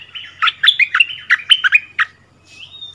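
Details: Bulbul decoy bird taken back to its old territory, dueling in song with a new resident territory holder, 3 February 2021; quick bright chirping notes in a rapid run of about ten, ending in a thin rising whistle.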